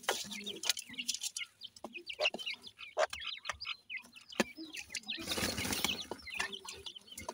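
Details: High twittering peeps from feeding grey francolin chicks, broken by taps and a loud burst of rustling noise midway before the chirping resumes.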